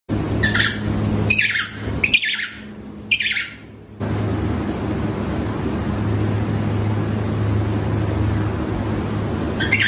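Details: A fluffy penguin gives four harsh, squawking calls about one second apart, then falls silent; a steady low engine-like hum runs underneath throughout.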